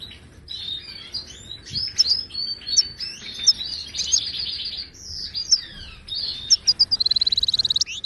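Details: Goldfinch of wild Moroccan stock singing, a recording for tutoring caged birds: continuous liquid twitter with a buzzy stretch midway, ending in a fast, even rattling trill of about a dozen notes.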